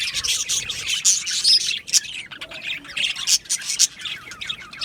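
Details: Many budgerigars chattering together in an aviary, a continuous rasping, buzzy warble with quick bright chirps layered over it and brief quieter gaps.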